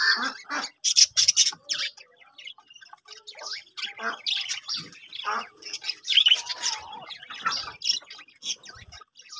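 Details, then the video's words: Budgerigars in a breeding colony, quieter here, give scattered bursts of sharp chirps and squawks separated by short gaps, with softer chatter and occasional light knocks between calls. "budgies parrot colony setup"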